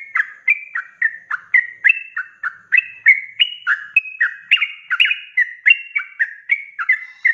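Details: Sooty-headed bulbul in full ropelan song, recorded as tutor material for songbird keepers: fast, unbroken chain of bright whistled slurs, each note dipping or rising, roughly three per second, with a clean, quiet background.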